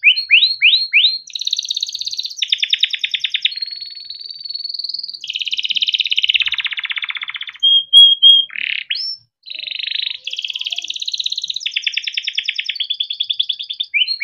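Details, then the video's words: Yellow canary giving long gacor song with rolling trills, kept as masteran for young birds. Rising chirps open into buzzy rolls, a thin level whistle, short pure notes, then more rapid rattling trills. "burung kenari gacor PANJANG untuk pancingan kenari paud || masteran kenari - yellow canary singing"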